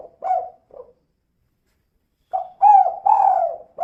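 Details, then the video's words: Female spotted dove calling in lively style, used as a lure to prompt other doves to call: two short low coos, a pause of over a second, then three fuller coos in quick succession, with a clean, quiet background. "Suara Burung Tekukur Betina Gacor Kuk 2 Untuk Pancingan Biar Cepat Bunyi"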